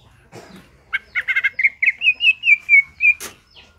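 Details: Greater green leafbird giving ngentrok-style song, used as a reference for training other birds: a burst of stuttering, buzzy chips runs into a steady string of about eight short, clear whistles, ending with a sharp click.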